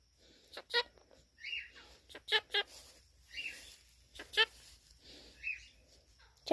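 A monk parakeet repeats a clipped two-syllable phrase, "chop chop," in a harsh, raspy talking voice.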